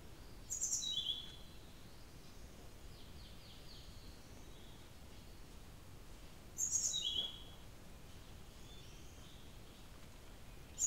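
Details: Blue-throated flycatcher calling, recorded with no background noise: two calls about six seconds apart, each a very high thin note dropping to a lower, slightly buzzy note, over a quiet steady hiss.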